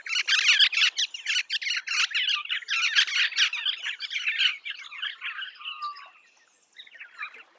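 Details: Eastern rosella giving loud, dense, harsh chattering in rapid bursts for about four seconds, then tailing off into softer scratchy notes and a short low whistle before near silence.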